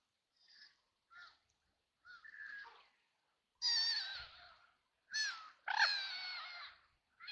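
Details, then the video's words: Ducks on a river in Nottingham, with rain falling at times, splashing and flapping their wings; a series of harsh, nasal quacks, faint and short at first, then louder drawn-out calls in bursts over about seven seconds. "Ducks quacking on a River in the Rain"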